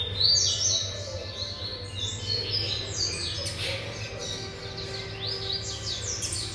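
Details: A seven-month-old double-collared seedeater sings quick runs of high chirps and sliding whistles, somewhat softer, over a low background hum.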